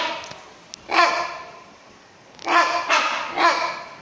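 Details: Captive rhinoceros hornbill, subspecies silvestris, at Chester Zoo: a single loud, coarse honk, then three more in quick succession, each a harsh, bark-like burst with strong harmonics.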